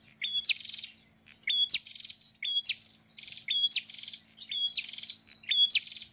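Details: Repeated prinia phrases, each a thin level whistle followed by a raspy buzzing trill, delivered about every second, against a faint low hum.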